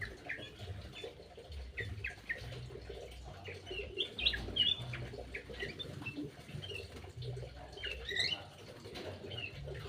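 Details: Caged birds in an aviary quarrelling over food at feeding time: scattered high, clipped chirps from several birds come in quick irregular bursts over a low rumbling, pattering background.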